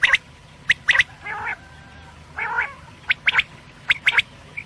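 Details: Quail calling in the morning, the sound played as a lure: sharp, clipped notes in quick clusters of two or three, mixed with hoarse, nasal squawking calls from another bird.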